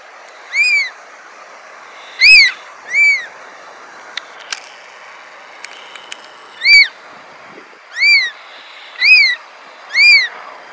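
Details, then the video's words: Black oystercatchers on rocks at low tide at Cesar Chavez Park, Berkeley, give loud, sharp, arched whistled notes, seven calls spaced irregularly a second or two apart, over faint background hiss. "Black Oystercatcher sounds"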